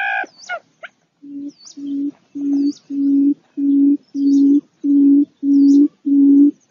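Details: After a few brief chirps, a barred buttonquail sends out a steady run of deep, droning hoots. Each lasts about half a second and is evenly spaced, and the notes grow louder as the series goes on.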